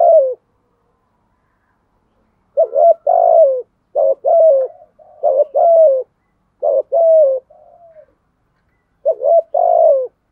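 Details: Spotted dove decoy calling, male and female, used for training and provoking cooing: repeated phrases of a short upslurred note followed by a longer falling hollow coo, about four phrases in ten seconds, clean background.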